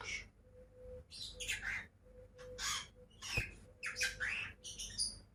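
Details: Two pet lovebirds calling indoors: bursts of shrill, harsh chirps and squawks come in irregular clusters, with a faint steady hum in the background.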